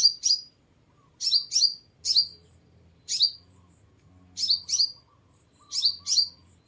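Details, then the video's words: Sunbird song played to attract birds: single and paired sharp, very high chirps that drop in pitch, given at irregular intervals of roughly a second, with a soft low background hum. "Tiếng Chim Hút Mật 7 Màu || Hút Mật Xác Pháo"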